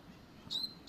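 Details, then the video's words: A Double-collared Seedeater, described as a fine, fast singer, gives two thin, high, sharp notes about half a second apart as part of a quick song, with near silence otherwise. "Papa capim luxo bom rápido"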